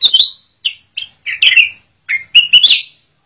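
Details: Black-crested bulbul singing bright, liquid chirps in quick bursts, about eight notes in three seconds, some slurred and rising, mid-to-high pitched; the song is used as a tutor recording for other birds.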